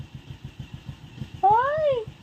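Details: Amazon parrot that talks in English, giving one loud drawn-out phrase that rises and then falls in pitch, over a steady low rumble.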